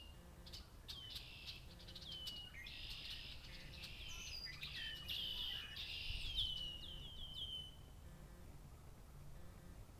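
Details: Red-winged blackbirds in a Massachusetts farm chorus, harsh buzzy trills swelling midway with clear down-slurred whistles trailing off, other birds faintly calling, quiet low hum throughout.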